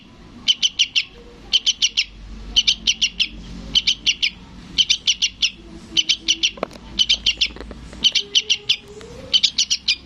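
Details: {'caption': 'Sooty-headed bulbul nestling begging for its parent. Around nine rapid clusters of thin, high chips, each group of three to five notes, repeated steadily every second or so, with a soft low background hum.'}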